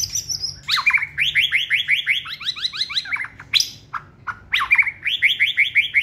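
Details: White-rumped shama, caged and bred for song competition, delivers quick strings of repeated sharp chirped notes at a steady pace, broken by brief pauses and a high whistled opener.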